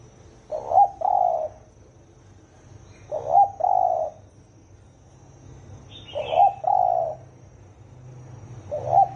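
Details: Spotted dove with the hoarse 'thổ ồm' voice, used for stirring 'thổ đồng' doves: repeated two-part coos roughly every three seconds, short note then drawn-out hollow note, with a faint higher chirp from another bird.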